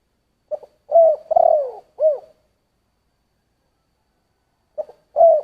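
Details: Spotted dove in 'giọng thổ' voice gives a full coo phrase: short double note, long coo, vibrating descending coo, brief closing note. After a pause of over two seconds the next phrase begins.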